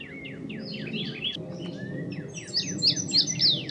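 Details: An indigo bunting, only partly through its molt, sings a string of sliding, sharp high notes, a brief lower whistle, then a loud, quickly repeated set of piercing high notes.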